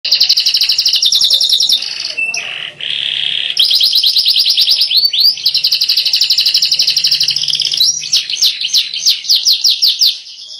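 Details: Yellow canary singing loudly: long, rapid, rolling trills of high, bright notes, shifting between fast buzzy rolls and slower, clearer repeated chirps, with short breaks and a few sliding notes.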